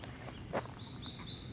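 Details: Worm-eating Warbler (Helmitheros vermivorum) calling at Great Dismal Swamp National Wildlife Refuge in early summer, very early in the morning, giving thin, very high notes about every quarter second over a soft background hiss.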